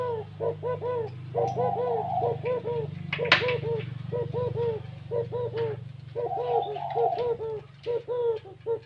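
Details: Spotted dove delivering gáy gù kích bổi coos in quick clustered phrases, joined by a higher, smoother cooing voice, over a steady low hum and occasional clicks and knocks.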